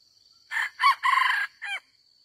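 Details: Red junglefowl rooster used as a decoy while trapping wild chickens, giving one short crow: a quick opening note, a rising second note, a long harsh middle note and a falling final note, with a steady high whine behind.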